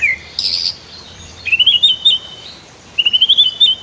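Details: White-rumped shama singing a master song for training other birds, mixed with river sounds for relaxation: a brief high note, then two runs of quick, bright warbled notes rising and falling around a high pitch.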